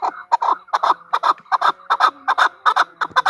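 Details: Female chukar partridge calling loudly at close range, with rough, throaty notes in quick doubled bursts repeated evenly.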